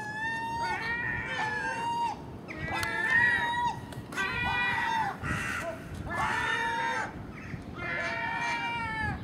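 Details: ['Common gulls at garbage put out overnight by a house, joined by a magpie and a crow at dawn; repeated long, plaintive, mewing cries come roughly every one and a half seconds, with rougher notes between them.']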